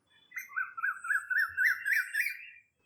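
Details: Male Asian koel, whose song heralds spring and serves to attract a mate and mark territory against other males, gives a quick run of about seven rising whistled notes climbing steadily in pitch over two seconds.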